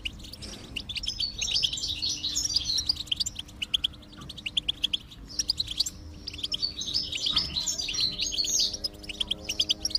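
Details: Singing goldfinch, played to prompt a silent goldfinch to sing: lively, chattering high twitters in long phrases, interspersed with crisp repeated clicks and a brief pause near the middle.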